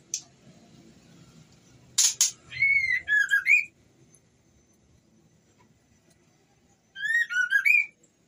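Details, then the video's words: White-rumped shama female in breeding condition calling a male. A brief rasp and a pair of harsh bursts lead into a warbled, looping whistle phrase. Several seconds of quiet follow, then the same whistled phrase is repeated. "Suara Murai Betina Birahi Memanggil Jantan"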